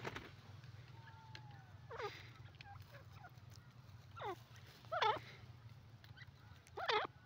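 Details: Grey francolin, called teetar, calling: loud harsh ringing phrases of rising strokes, repeated every one to two seconds, over a low rumbling background.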